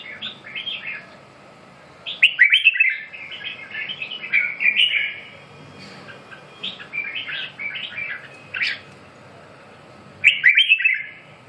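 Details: Red-whiskered bulbul singing repeated phrases of cheerful, bubbling whistled notes, loud bursts alternating with softer warbles over about eleven seconds, with a faint steady hum below.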